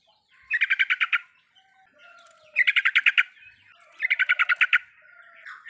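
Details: Riwikan song of the trucukan, or yellow-vented bulbul, meant to prompt a quiet bird to sing. Three evenly spaced runs of rapid chattering notes come about every one and a half seconds.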